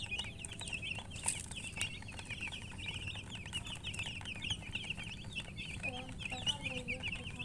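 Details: Young chicken chicks giving rapid, high, chirping peeps in a busy overlapping chorus, each note a short slurred whistle, with a few lower soft calls later and a constant low hum.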